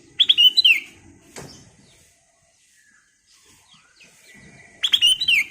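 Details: Ruby-throated bulbul (kutilang emas) in lively song: two short bright phrases of quick whistled notes sliding downward, a few seconds apart, with a soft knock between them.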